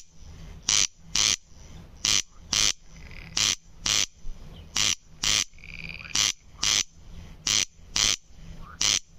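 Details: Persistent crex-crex of a corn crake (Crex crex): about eight pairs of harsh, ratchet-like rasps in a fairly regular rhythm, with a faint whistled note from another bird midway.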